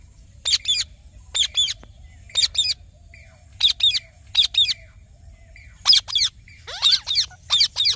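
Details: Green parrot giving harsh, buzzy squawks in short bursts, mostly single or paired, about once a second, with the later ones coming faster and more tangled. There is a faint low rumble of background noise.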